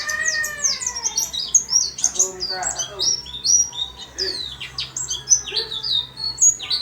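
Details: Busy song of a white-eye housed in a small cage, with quick high slurred chirps and twitters over faint lower sounds.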